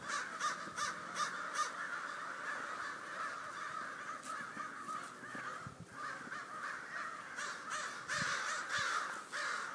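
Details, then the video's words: A flock of crows gives continuous, overlapping raspy caws, several birds calling at once in quick succession, with loudness swelling and dipping throughout and no other clear sounds. "Bosque Crows Sound Effect"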